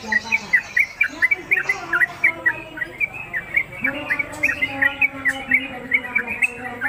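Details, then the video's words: Caged Sooty-headed Bulbul newcomer singing on its hanging pole: lively chirped notes strung in quick bursts, with steady lower tones and soft background sound. "Trucuk Konslet Kemedol Berdurasi Pendatang Baru Cocok Masteran"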